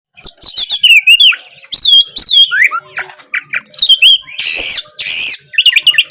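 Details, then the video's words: Black magpie song used as a master recording to provoke a silent, lazy caged bird into answering: loud, varied whistles, sharp chirps and downslurred notes, with harsh buzzy bursts near the end. "Masteran Kacer gacor ampuh memancing Kacer macet malas bunyi langsung nyaut gacor!"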